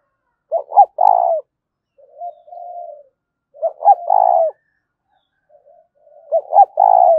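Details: Spotted dove cooing in 'gáy thúc' style, three phrases about three seconds apart, each two quick low notes and a long rolling coo, with softer muffled coos between them.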